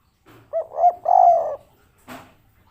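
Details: Local spotted dove of the kuk 3 kind giving a three-note coo, two short rising notes then a long falling one, followed by a brief noisy knock.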